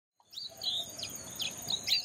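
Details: Striated babbler calling: a short series of sharp, high chirps and thin slurred notes, some rising and some falling, spread over about two seconds against faint background noise.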